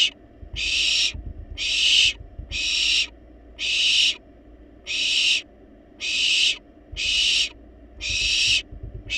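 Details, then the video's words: In a research-monitored nest box, wild barn owl young beg for food after being well fed: a regular run of rough, hissing bursts, about one each second, over quiet rustling. "Barn Owls Baby Playfully Demand Food Despite Being Well-Fed!"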